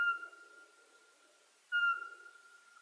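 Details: Eurasian pygmy owl whistling two pure, flat notes about 1.7 seconds apart. Each sharp onset is followed by a long drawn-out echoing fade.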